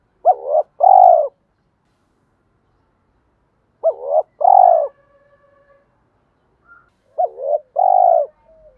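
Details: Spotted dove lure bird, male and female voices used by keepers to provoke males to fight and call. Three bursts of low, hollow coos, a short note followed by a longer wavering coo, separated by long silences.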